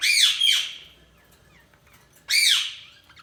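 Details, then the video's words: Budgerigar chirping: two harsh, buzzy, high squawk-chirps close together at the start, a quiet gap, then another rasping chirp near the end, in a small room. "Budgies Chirping sound"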